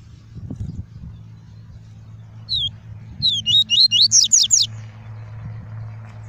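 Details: Tuí tuí song of a double-collared seedeater kept in a cage, used to stimulate and teach young birds: one lone high note, then a rapid string of about eight sharp, rising, whistled notes, over constant low hum.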